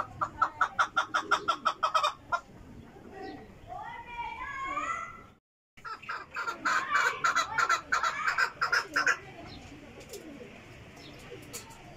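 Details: Chukar producing bursts of rapid clucking notes, interrupted by a stretch of rising whistled sounds and a brief silence before the clucking series resumes.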